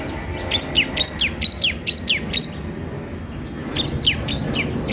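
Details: Singing bar-winged prinia, used to train or lure other birds: two bursts of rapid high, downward-sweeping chirps separated by a short silence, with faint background noise.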